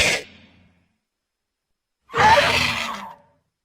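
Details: An angry condor gives two breathy, rasping hisses: a brief puff, then after a two-second pause a longer, harsher rush of air about a second long.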